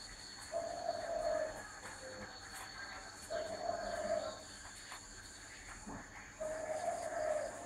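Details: Spotted dove cooing: three drawn-out, mellow phrases of roughly one second each, spaced about two to three seconds apart, over a steady low background hum.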